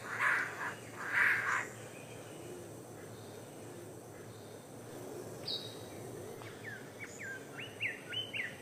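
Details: Male king bird-of-paradise from Papua calling while courting a female: two loud harsh buzzy bursts about a second apart, then a quick run of short upswept chirps, with faint forest ambience and insects behind.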